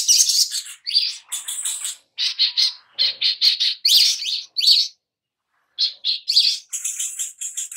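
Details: Little spiderhunter in a lure recording to make birds sing: long runs of sharp, high chirps in quick succession, one pause of about a second midway.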